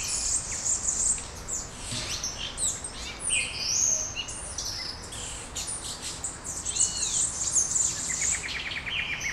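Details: At daybreak in Brasília, Brazil, many small birds chirp together: shrill overlapping chips and brief whistles, a few arched notes, and a fast ticking trill late on.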